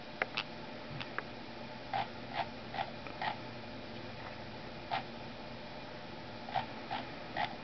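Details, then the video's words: A pet female parrotlet mimics a computer mouse scrolling, her first identifiable sound, with a wing flutter at each one: soft, dry clicks, singly or in quick pairs at an uneven pace, in a quiet room. "Parrotlet: Yoda Mimics Scrolling Mouse Sound"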